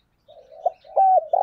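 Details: Decoy spotted dove calling: soft low murmuring coos build into a loud, steady, drawn-out coo with a slight downward bend, followed by another rolling coo.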